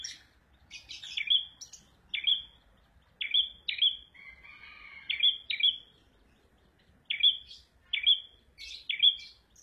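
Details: Red prenjak singing a steady series of sharp, flat whistled notes, some doubled, spaced about a second apart, with a brief buzzy trill midway and thin high chips between.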